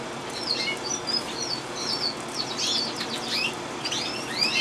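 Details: Gloster canary in song, from 2011: a continuous high warble of quick chirps, slurred whistles and rattling trills, somewhat softer, over a faint background hiss.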